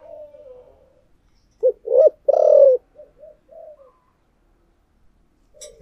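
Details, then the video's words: Decoy spotted dove with the thổ voice: soft low cooing, then two clipped loud notes and a long buzzy falling coo, followed by quiet short coos. "Tiếng Chim Cu Mồi Giọng Thổ Đặc Sắc"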